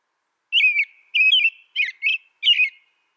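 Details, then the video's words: Clear caroling song of an American robin: four slurred, whistled phrases in quick succession with brief pauses, no other sounds. "American Robin Bird Song Sound"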